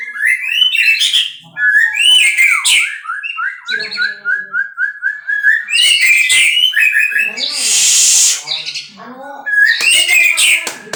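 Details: Captive-bred white-rumped shama delivering a loud, richly varied song: sweeping whistles, rapid trills, a run of evenly repeated short notes, and harsh buzzy rasps, with short pauses between bursts.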